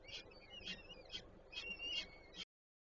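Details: Nest of peregrine falcons with three chicks in Warsaw's Żerań, Poland, 25 April 2024; a short burst of piercing, high whistled notes in quick succession, then an abrupt stop, with low city noise underneath.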